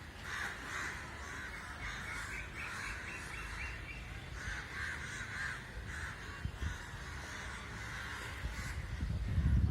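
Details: Many crows gathered together in an unusual group call in a thick, rasping chorus of overlapping caws, while low rumbling noise swells toward the end.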